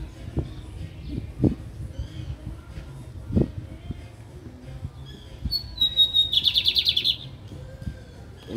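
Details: Lined seedeater, a caged bird, recorded on a Saturday afternoon, 20 August 2022: after several seconds of soft knocks and murmuring, a high whistled note leads into a short rapid buzzy trill near the end.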